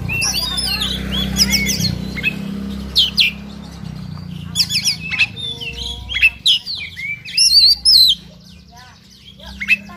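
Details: Oriental magpie-robin (kacer) singing in fighting mode, the agitated ngobra style loaded with imitated phrases: bursts of high whistles, sharp chirps and buzzy trills, sparse at first then denser, over a steady low hum.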